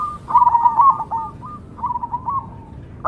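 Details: Zebra dove of the Cemani form: two soft, wavering trilled coo phrases, the second quieter and trailing off, followed by a brief loud note at the end.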